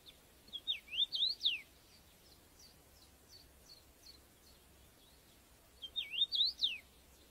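A common rosefinch sings two short phrases of clear, slurred whistles that rise and fall, about five seconds apart. Fainter bird notes come in between.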